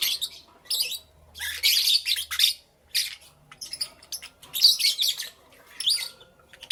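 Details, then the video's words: Lovebird chirping in the morning: harsh, squawky bursts high in pitch, separated by short pauses, with rapid thin chirps between them, indoors in a small room. "Lovebirds Chirping Sounds"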